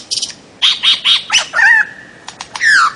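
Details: Bird-of-paradise calling: three short, even nasal squawks, then a harsh burst and a drawn-out note that drops in pitch, with a final loud slurred call that falls away.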